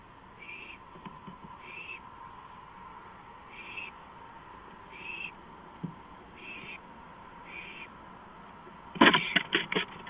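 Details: Owl on a porch at 2:05 AM on 5 April 2015, seen on a live camera; faint, harsh hissy bursts repeat about every second, and a clatter of knocks comes near the end.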